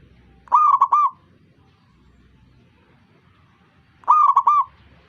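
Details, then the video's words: Zebra dove singing to encourage other zebra doves to join: two clear bubbling coo phrases, each a fast run of three or four rounded, fluting notes, separated by about three and a half seconds of quiet. "ngajak perkutut lain ikutan bunyi"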